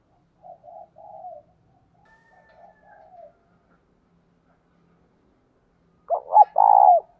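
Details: Spotted dove decoy call for luring wild doves: quiet, distant-sounding coo phrases early on, then after a pause a loud close phrase of quick stuttering notes ending in a long falling coo.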